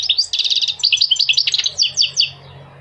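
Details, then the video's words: Dense goldfinch twittering: a fast buzzy trill opens into bright, tumbling chirps that slow toward the end, over a faint low hum. "Singing the goldfinch is amazing song"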